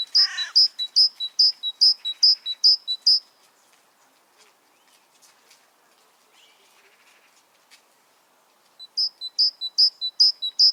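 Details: Great tit song: a rapid series of bright, high two-part notes repeated about every third of a second for three seconds, a pause of quiet background, then the same ringing phrase resuming. A brief descending sweep opens the recording.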